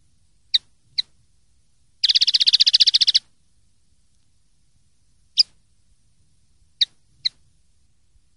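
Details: Common linnet giving a 'limpio' (clean) song: a few sharp isolated clicks, then a fast buzzy trill of about a dozen rapid notes lasting just over a second, followed by more scattered single ticks.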